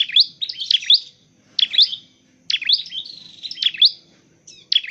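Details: Dark-necked tailorbird, kept for training and trapping, pours out loud bursts of shrill, high, chevron-shaped chirps with short silent breaks between groups.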